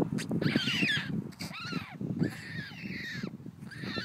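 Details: Newly hatched white stork chicks in the wetland at Nordens Ark, Sweden, give harsh, nasal, arching squeals in quick bursts, about three a second, over a low rumbling background.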